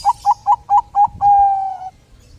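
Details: A Bangkok-type zebra dove, singing eagerly to spur other doves to sing, gives five short mellow coos in steady rhythm, then a long, slightly falling held note, with a soft low thump underneath.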